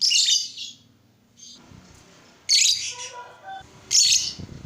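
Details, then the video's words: Lovebird sound used to provoke other lovebirds into song: three short bursts of shrill, squeaky high chirping spaced over several seconds, with quieter low background murmur between them. "Suara burung lovebird ini ampuh bikin lovebird lain ikut gacor"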